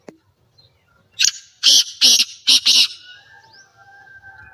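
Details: Rasping call of a black francolin: five loud, buzzy, broad-band notes delivered rapidly over under two seconds after a single click. A soft whistled tone lingers afterward against a quiet background.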